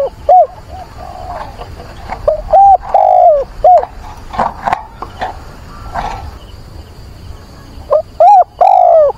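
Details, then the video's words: Decoy dove calling for a mate in rainy, windy weather, 24 September. It gives repeated phrases of clipped and long falling coos, with a burst of rattling noise in the middle before the cooing resumes. "Chim cu mồi gáy gọi tìm bạn"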